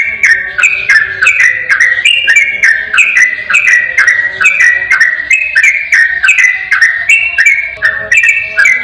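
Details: Tutor recording of a yellow-vented bulbul's ropel song, intended to draw a reply: a steady stream of liquid two-note whistles, stepping down and up, roughly three each second.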